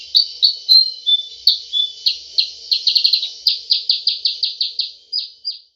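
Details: Sooty-headed bulbul 'cep cep' luring call: a fast run of short, high chirps, at first spaced, then quickening into a dense, stuttering series before slowing again, with no other clear sounds.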